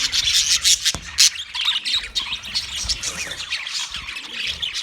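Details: Wild budgies chatter in a crowd, with a few loud, harsh squawks near the start standing out over steady, overlapping high twittering and chirps.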